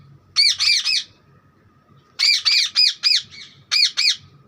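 A parrot gives harsh, rasping squawks in quick bursts of two or three, with a faint steady hum and low rumble behind.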